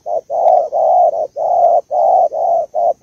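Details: Female spotted dove, Malaysian type, calling to excite the male: dense, throaty mid-pitched coos of differing lengths, packed closely with short pauses, against a faint constant high whine.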